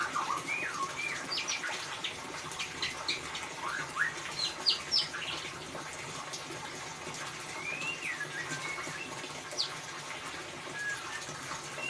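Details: White-rumped shama in ngeriwik style, used to coax song from a silent bird: lively mix of whistles and sharp high chips in the first half, then sparser looping slurred whistles over hiss.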